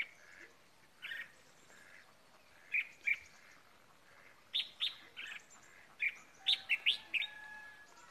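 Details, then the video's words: Red-whiskered bulbul kept as a seasoned decoy bird, after Lunar New Year, Ba Vì, Vietnam; short bright chirpy phrases near 2–4k, loosely spaced, then a quicker run of sharp whistled notes toward the end. "ra tết có chào mào mồi"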